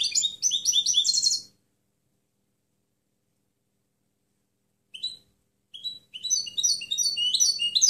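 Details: Goldfinch song recorded cleanly for training other birds: a brief burst of tinkling twitters, a long silence, a single short chirp, then another lively phrase of quick, high notes.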